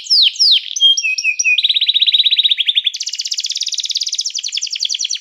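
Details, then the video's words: Canary song meant to call other canaries to sing and to train them: sharp falling notes, short flat whistles, then a fast buzzy trill that jumps higher into a rapid rolling series. "som de canário chamando amigos para cantar"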